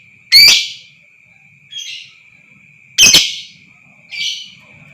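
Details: Lovebird sound used as a lure to provoke a caged lovebird into long trilling (ngekek panjang): two loud harsh, broadband chattering bursts about 2.7 seconds apart, each followed by a softer burst, over a steady high whistle-like tone.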